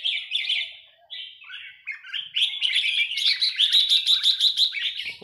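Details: A red-whiskered bulbul of Burmese stock sings bright, chirpy warbled phrases that build into a quick run of repeated bubbling notes, about eight a second, ending in a click.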